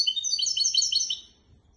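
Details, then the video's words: Short burst of goldfinch x canary hybrid song used for teaching goldfinches and canaries: about a second of fast, high, warbling twitters that stop abruptly, followed by near silence. "تغريد طائر الهجين ميسترو حفاضه لتعليم طيور الحسون والكناري بدون اخطاء"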